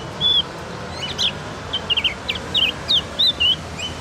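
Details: Javan Grey-throated White-eye practising its song: a varied run of high chirps, short whistles and twittering squiggles, some rising and some falling, spaced irregularly across four seconds against soft background noise.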